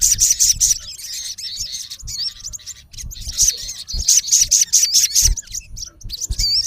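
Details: Sharp, rapid high chirps from a male olive-backed sunbird calling a rival, delivered in dense bursts alternating with wavy whistled notes, over light low-frequency noise.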